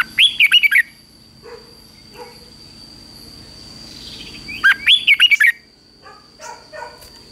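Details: Red-whiskered bulbul in morning training, singing two bright bursts of rich warbled whistled notes about four seconds apart, each phrase of five or six rising and falling notes, with a steady faint high tone and soft chirps between.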